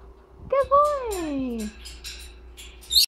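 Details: A foraging Camelot macaw gives one drawn-out, tonal call that slides steadily downward over about a second, followed by soft scratchy rustling and a sharp click.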